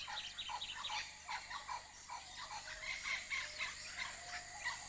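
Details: Blue-winged Kookaburras in Kakadu, far north Australia, call in a harsh, cackling territorial chorus of rapid, raucous notes, several per second, as neighbours call on the territory border, over a steady high insect hum.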